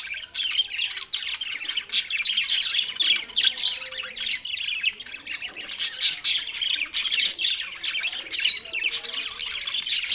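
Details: Lonely budgerigars recorded 7 June 2024 keep up a dense, harsh chatter of squawks and scratchy chirps, unbroken for ten seconds.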